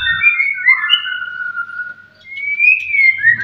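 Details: White-rumped shama singing to provoke rival birds: slow, pure whistled notes, some held and level, others sliding up or down, with a short pause before a rising whistle and a faint low thump at the edges.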